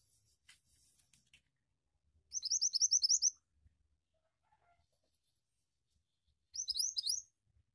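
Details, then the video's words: Pied Triller (mantenan) singing in lively rolling gacor ngeroll style: two bursts of quick, high, rising whistled notes, about ten each, spaced several seconds apart, with faint chirps at the start. "Suara Burung Mantenan Gacor Ngeroll"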